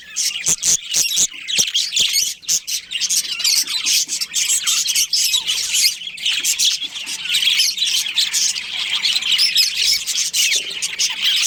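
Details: Breeding pair of budgies in a colony, a steady, crowded chorus of high twittering and squeaky chirps, opening with a run of sharp clicking taps.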